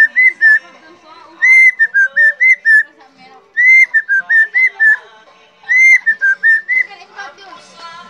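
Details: Helmeted friarbird in captivity, whistling constantly as it is teased. Three bursts of rapid whistling, each opening with a long note followed by five or six quick, bouncing whistled notes.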